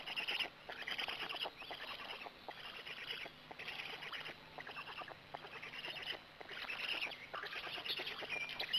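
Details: Black stork at its nest in Gemenc on 13 May 2017 at 20:04, an adult arriving and then feeding; buzzy, hoarse bursts repeated in quick series about once a second, each with rapid clicking pulses.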